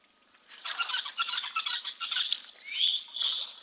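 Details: Red-billed buffalo weavers calling at an African wildlife live-cam site in November give harsh, grating, mechanical chatter, like someone cranking an old engine that will not start.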